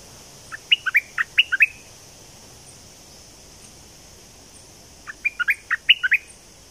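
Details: Southern Thai bulbul song, used to excite birds before trapping: two bursts of five or six liquid, bouncing notes, separated by about three seconds of quiet hiss.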